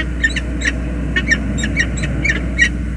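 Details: Peregrine falcon pair during a tender greeting in their nest on the James River Bridge, USA, February 2022. Scattered raspy, clipped calls sound every few tenths of a second over a continuous low rumble.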